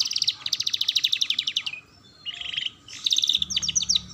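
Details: Canary singing as a lure for young canaries learning their song: a fast, even run of high chips for over a second, a pause, a lower rolling trill, then another bright burst of rapid notes.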